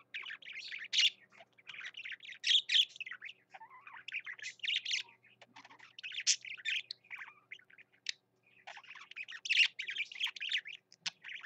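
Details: Male budgerigar kept as a pet singing continuously, a long, busy warble of chirps, squeaks and buzzy chatter rising and falling in short phrases.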